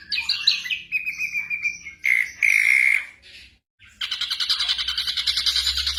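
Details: Varied black drongo song meant for training caged birds at night: a long level whistle followed by harsh buzzy notes, a short silence, then a fast rhythmic pulsing chatter.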